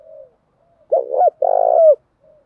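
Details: Single phrase from a spotted dove, male and female birds recorded to stimulate cooing in trained birds: a quick wavering note, a short pause, then a longer buzzy rolling coo that falls at the end.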